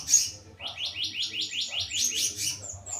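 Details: Slendang biru bird singing in a mini aviary: a fast run of about eight repeated sharp chirps, then higher thin notes and trills, with a low hum underneath.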